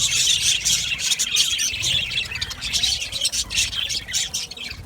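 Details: Budgerigar colony in an aviary giving loud, continuous high-pitched chatter, thick overlapping chirps and warbles with hardly a pause throughout.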